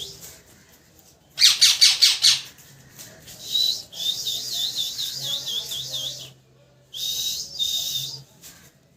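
A parrot gives a quick burst of five harsh, high chirps, then a long wavering warble and a final shorter chatter, with a low hum beneath.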